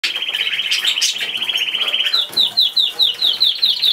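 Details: Pet cockatiel gives a steady high trilling chatter, then switches to a run of sharp repeated chirps about four per second, over a noisy indoor background.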